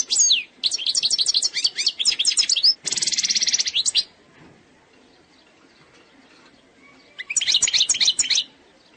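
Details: An Algerian European goldfinch of the eastern type sings bright, tinkling phrases of rapid twitters and a dry buzzy trill, then pauses before a final burst; finding: European goldfinch.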